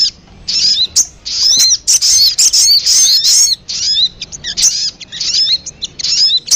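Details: Sogon lure sound used to attract birds. It has bursts of high, sharp chirps and quick up-and-down whistled slurs in irregular clusters, separated by short gaps.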